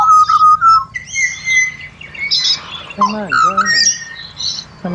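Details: Pied butcherbird in Australia giving level piping whistles, then a pair of descending rasping squawks and further mellow whistled notes.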